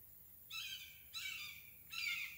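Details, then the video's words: Red-shouldered hawk (Buteo lineatus) in Craighead Forest Park giving three strident, downslurred kee-ah screams, the last sharper and higher, close and clear with little background noise. "Red-shouldered Hawk Vocalization"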